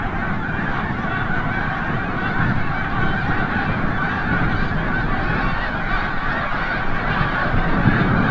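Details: Large flock of snow geese returning from the bay at sunset at Forsythe National Wildlife Refuge, Oceanville, New Jersey: a dense, unbroken chorus of overlapping nasal honks, rapid and irregular, with a low rumbling background.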